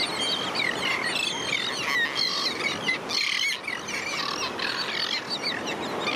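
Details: Juvenile royal terns begging persistently for food in a beach colony with sandwich terns at St. Pete Beach, Florida: a dense, overlapping chorus of high, thin squeaky whistles and chirps, many calling at once over steady colony hubbub.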